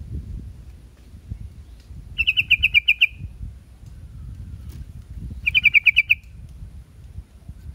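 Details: Yellow-vented bulbul (trucuk) gives two bursts of rapid, bright chirps, each about nine notes in under a second, spaced roughly three seconds apart over a quiet, low-humming background.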